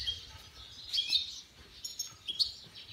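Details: Goldfinch × canary mule with a goldfinch: soft high twittering in short clustered phrases, a few sharper chirps standing out, set against faint low rumble.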